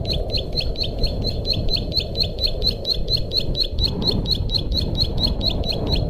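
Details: Bar-winged prinia song used as a master and lure sound: a steady series of clipped, high tweeting notes, about two per second, over constant low background hiss.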